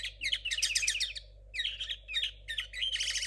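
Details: Young 2022 linnet hybrid in captivity with an unpolished, still-developing song: three tumbling bursts of high twittering notes with quick slurred whistles and a buzzy rattle near the end, backed by low mains hum.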